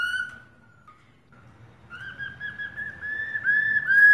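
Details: Caged female black-throated laughingthrush calling to spur males to sing: a short fading whistle, a pause with low background rumble, then a lengthening run of quick linked whistled notes growing louder toward the end.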